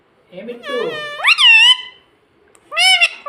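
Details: Talking pet parrot, said to say mummy and papa, kept indoors; a voice-like harmonic phrase bends upward into a sustained wavering note, then a short pause and a second clipped rising call.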